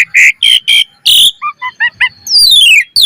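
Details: Asian pied starling lure recording, lively and varied: loud raspy chattering notes, four short paired chirps, then a long descending sweep of whistled notes.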